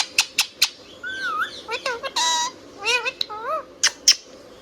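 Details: Singing pet Indian ringneck parakeet: sharp chirps open into a smooth wavy whistle, then a dense buzzy harmonic burst and stacked warbling notes, ending with a few more crisp chirps.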